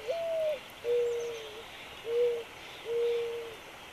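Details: Mourning dove singing in the early morning: a slightly higher opening coo that slurs upward, then three lower, steady, hollow coos, roughly one per second, over a faint hiss of background noise.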